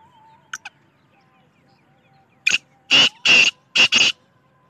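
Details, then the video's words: Black francolin (kala teetar) calling: two faint ticks, then a burst of loud, rasping, buzzy notes grouped as one, two, then a close pair, harsh and broad, over near silence. "Desi Kala Teetar ki Awaz Black Francolin Voice Kala teetar ki Awaz Black Partridge Voice"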